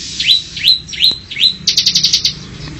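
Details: Bar-winged prinia singing actively, recorded as a tutor track for training cage birds: four high, sharp notes that rise and then slur downward, followed by a rapid, even burst of piercing chips.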